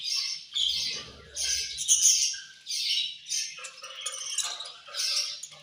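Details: Angry chirping from budgerigars while they eat, scratchy overlapping chatter rising and falling in loud bursts, a few thin whistled notes, with soft low rustling near the start.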